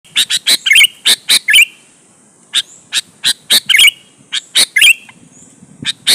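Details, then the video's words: Sooty-headed bulbul singing vigorously, used as a lure to provoke other bulbuls into answering. Sharp, broad chip notes come in quick runs, some followed by short twisting whistles, with a pause mid-phrase before the chips resume. "suara burung KUTILANG GACOR MENEKAN LAWAN 100% ampuh buat pancingan kutilang agar nyaut dan GACOR"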